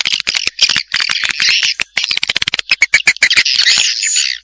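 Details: Janda Vietnam swiftlet lure sound: busy high twittering and sharp clicking chirps in quick irregular bursts, ending in a longer, smoother buzzy chatter.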